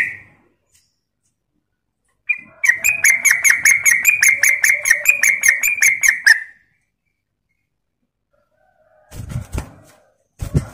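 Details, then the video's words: Trucuk, the yellow-vented bulbul, singing in lively 'gacor ropel' style as a training lure: one sustained four-second run of rapid, evenly pulsed chattering notes, followed by silence and a few sharp knocks. "Ropel Gacor Pancingan Burung Trucuk"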